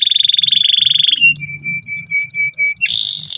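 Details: Insistent canary song aimed at teaching young canaries the trilling sound: a rapid buzzing roll, a row of evenly spaced clear piping notes each with a short upper flick, then another fast trill, with a soft low hum beneath.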